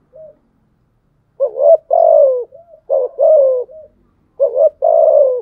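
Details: A spotted dove gives its 'gù đấu' fighting coo. Three low phrases come roughly a second apart, each a short upward note followed by a sustained, slightly falling coo, and soft single notes link them.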